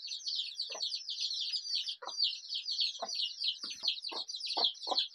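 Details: Flock of colorful desi chicken chicks calling in a busy, unbroken mass of high-pitched peeps, with brief lower clucking notes dropping in every second or so.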